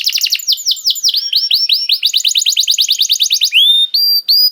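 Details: Canary song used as bait so other canaries sing: fast descending trills, a long run of rapid repeated notes, then clear pure whistled tones.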